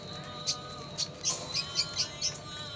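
Red siskin giving a string of short, bright, high chirps, several per second, over a steady low electronic hum.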